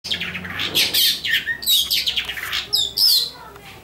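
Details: Long-tailed shrike giving an unusual, strange-sounding call: a burst of harsh, scratchy, high-pitched chattering notes with a few thin squeaky whistles, delivered in quick irregular bursts.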